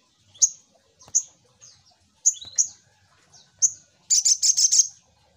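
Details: Lure call of the little spiderhunter. Isolated sharp high chips and slurred squeaks, then a quick run of about six rapid high notes near the end.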